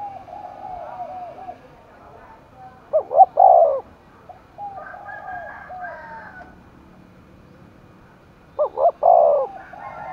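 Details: Spotted dove cooing for a contest in Dong Nai, Vietnam; two strong phrases of looped notes ending in a long, descending coo, about six seconds apart, with quieter soft coos in the pauses.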